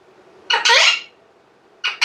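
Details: Pet alexandrine parakeet talking in a quiet room, with harsh, raspy, speech-like squawks: a half-second phrase, a pause, then a quick double burst.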